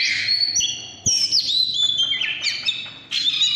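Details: Oriental magpie-robin, 'căn lửa' singing: bright whistled bursts split by two short quiet gaps, each phrase starting with a high clear note and tumbling into twittering.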